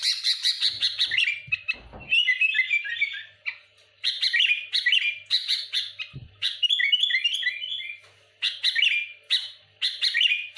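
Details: Sooty-headed bulbul singing hard to unsettle rival bulbuls, pouring out tightly packed chirps and rapid twittering phrases with few gaps, one short low thump partway through.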